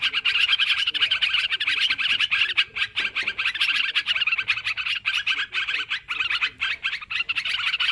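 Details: Sooty-headed bulbuls calling excitedly in a lure track, a crowded stream of quick chirps and whistles with slight pauses near the middle and a few softer lower notes beneath.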